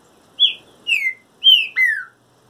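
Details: Moulting trinca-ferro giving four loud, clear whistled notes, each sliding downward, in a rhythmic phrase lasting under two seconds.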